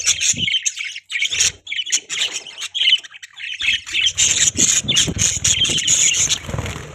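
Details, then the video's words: Pet parakeets keep up a continuous scratchy warble of squawks and chirps, growing into a thick, unbroken chatter with buzzy, shrill notes and some low thumping in the background. "Budgies Chirping Sound"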